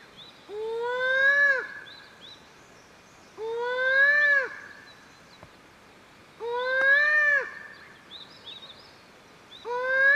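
A Satyr tragopan gives loud, wailing, slightly rising calls, each over a second long, repeated about every three seconds, with faint small-bird chirps in the background.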